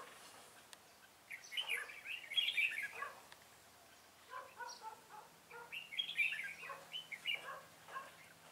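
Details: Red-whiskered bulbul decoy singing to draw in wild bulbuls, trapping on 25 April 2017: two rich, chattering warbled bursts, each about two seconds long, with mixed whistled and scratchy notes and a faint steady hum.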